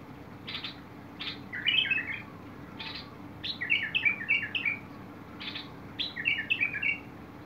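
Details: Bulbul song, 21 August 2022: rasping buzzy notes leading into bright bubbling warbled phrases, the longest a rapid run of five linked notes, repeated; low hum behind.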